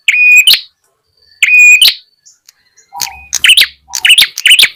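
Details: Ashy tailorbird lure call used to attract wild birds: sharp, high whistled notes held briefly, then a quick run of bright chirps.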